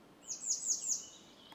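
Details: Grey wagtail (Motacilla cinerea) at Močilnik, Vrhnika, Slovenia, on 27 June 2023, giving a quick run of three or four sharp, very high, metallic notes, each dipping slightly in pitch, against faint background hiss.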